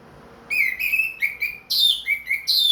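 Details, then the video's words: Orange-headed thrush, ring-bred and caged, singing well again after its feather moult: a run of clear whistled notes, steady and slightly falling, broken by brief upward flicks, strong and continuous. "MERANGSANG ANIS MERAH BUNYI PLONG"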